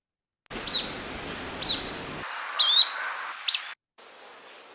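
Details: Yellow-bellied flycatcher (Empidonax flaviventris) giving a call typical of its wintering grounds rather than breeding grounds: short, high, sharp call notes roughly once a second, with a thin whistled note over steady background hiss.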